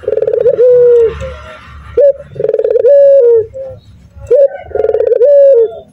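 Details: Male Barbary dove, a local bird, in energetic 'nguku' cooing. Three pulsed, rolling coos each end in a long level note and a sharp rising hook, roughly two seconds apart. Soft indoor rumble.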